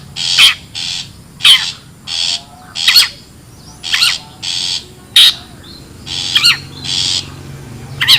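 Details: Long-tailed shrike in the wild, a lure for gathering birds: short scratchy rasps alternating with loud piercing squeaks in an uneven, busy sequence.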